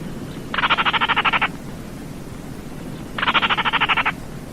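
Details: Two dry, croaking rattles from a Baillon's crake, each a quick train of about twelve clicks lasting roughly a second, separated by a short pause, with soft background noise.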